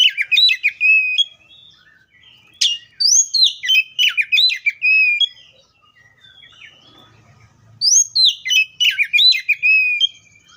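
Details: Oriental magpie-robin pouring out long phrases of rapid whistles, trills and slurred notes, separated by a few seconds of soft scattered notes.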